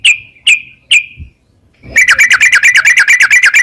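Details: Yellow-vented bulbul song played to stimulate a caged bird to sing: three separate sharp chirps half a second apart, a short pause, then a fast run of bright repeated notes, about six per second.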